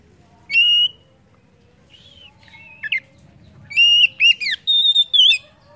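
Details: Oriental magpie-robin song used to prompt other birds to sing: a bright whistled note, a pause, a few slurred twists, then a rapid run of clear whistles and a long sustained note.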